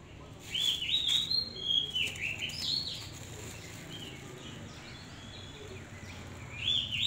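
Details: Captive, hand-reared Oriental magpie-robin delivers a chain of fluty, bending whistles and warbles over steady background noise, with a final phrase after a pause.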